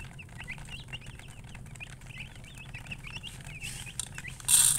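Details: Chicken uttering a steady stream of short, high chirps, roughly three or four per second, over low hum, ending with a loud hissing burst of noise.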